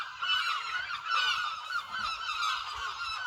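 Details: Many gulls at Lossie call together, a thick layer of overlapping nasal, honking cries that rise and fall in loudness without pause, with a faint low rumble beneath.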